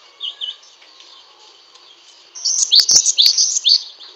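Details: Great tit (Parus cinereus, glatik wingko), a songbird kept for song: two soft high notes, then a bright, ringing run of quick rising notes about twice a second, with a couple of sharp clicks.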